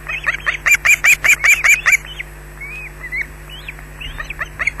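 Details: During an attack at a Scottish nest, an osprey on camera gives a loud, even string of piercing high squawks, about two and a half per second, then quieter scattered slurred calls follow.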